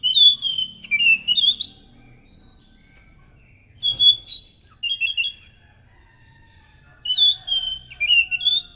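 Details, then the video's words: Singing scaly thrush, a call used to draw in other thrushes: three loud bursts of quick warbled and whistled notes, at the start, near four seconds and near seven seconds, each about one and a half seconds long. "PANCINGAN BUNYI BURUNG ANIS SANGAT EFEKTIF, SUARA ASLI ANIS MACAN GACOR TEMBAKAN SUARA NYARING!"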